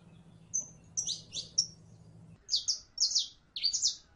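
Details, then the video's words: Canario criollo, or saffron finch, singing prelono style: thin whistled notes and high chirps, then a tighter string of loud downward sweeps after a pause. Low hum in the first half. "CANARIO CRIOLLO EN PRELONO CANTO"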